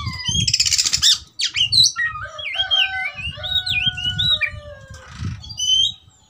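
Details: Oriental magpie-robin stirred up to fight gives warbled whistles and a few long level notes over low thumping and rustling, with a harsh buzzy burst at the start.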